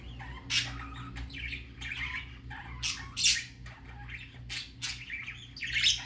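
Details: Baby budgerigar going out for the first time, uttering sparse harsh squawks and softer chirps spaced a second or two apart, quieter than before, over a low hum.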